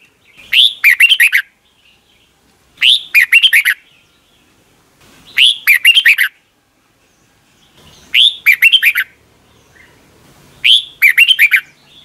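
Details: Red-whiskered bulbul song, played daily in the morning so young caged birds learn it; five crisp phrases of an upswept note then rapid bubbling whistles, spaced about every two and a half seconds, otherwise quiet.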